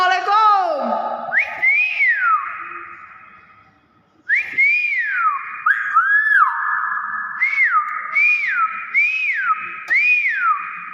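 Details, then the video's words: Common hill myna giving loud whistled notes that rise and fall in smooth arcs over a steady held tone, a brief low sliding sound at the start, then after a short pause about six slurred whistles in quick succession. "Suara asli burung BEO"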